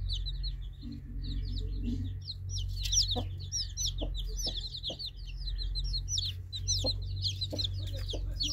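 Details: Crowded baby chicks peep nonstop, shrill short notes with upward and downward slurs, plus occasional knocks and a low droning hum.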